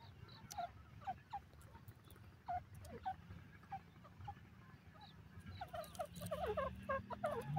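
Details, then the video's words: Bird in a green field, described as partridge, gives short, harsh, falling notes, about three a second, growing busier and louder toward the end over a steady low rumble; finding: Francolin. "partridge bird sounds"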